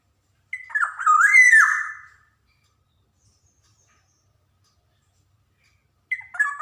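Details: Black-naped oriole, an energetic singer recorded as a lure for young birds to learn from: one harsh, nasal, descending squawk with a whistled rising start, then silence, and a second rasping call begins at the end.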